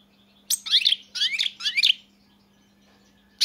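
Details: European goldfinch song: three quick bursts of bright, liquid twittering with rapid tinkling, rising notes, then a pause and a sharp new note at the end, over a low steady hum.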